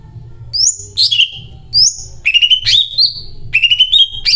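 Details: Greater green leafbird singing persistently with cililin phrases: repeated rising whistles, harsh chirps and wavering trilled phrases slurring upward, delivered in quick bursts with short gaps, over a low steady hum.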